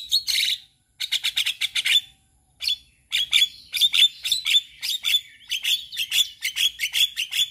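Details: Male Javan myna song for teaching other mynas: runs of sharp, ringing chirps in fast rhythmic series, separated by brief silences, harsh and bright in tone.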